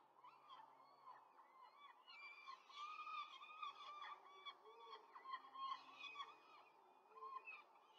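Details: At a Rome peregrine falcon nest on 5 May 2023, an adult quickly feeds four chicks amid a steady stream of overlapping, wavering squeals and chevron-shaped cries that rise and fall in intensity.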